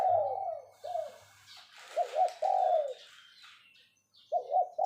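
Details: Spotted dove kept as a caged decoy, calling in the 'phroh' style to lure others: soft, low, throaty coos, several paired or slurred downward, in two bursts separated by a long pause, over a brief low hum and faint background rustle.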